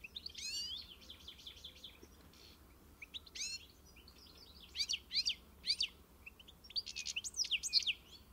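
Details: European goldfinch singing: bright, tinkling twitters and fast trilled buzzy notes high in pitch, delivered in short bursts separated by brief pauses, with a quiet gap midway and busier phrases near the end.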